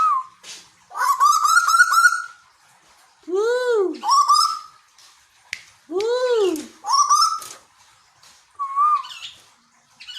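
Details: Repeated rising whistles from a captive Asian koel in Bogor, Indonesia, several per ten seconds, interleaved with lower arched hooting notes and buzzy harsh bursts.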